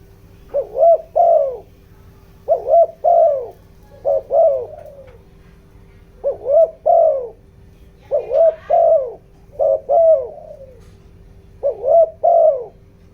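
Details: Spotted dove decoy calling in the 'giọng đồng' voice to excite wild doves: repeated phrases of two or three hollow coos, the last note trailing down, spaced about two seconds apart over a low hum.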